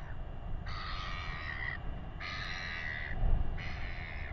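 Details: Royal albatross chick fed by its father in New Zealand, with weighing taking place: three drawn-out, reedy harmonic calls about a second each, separated by brief pauses, against constant wind noise.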